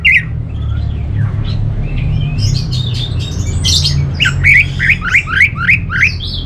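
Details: Orange-headed thrush, kept as a cage bird, in a mixed song: scattered scratchy notes and squeaks, then a fast run of about eight short rising chirps, over a constant low hum.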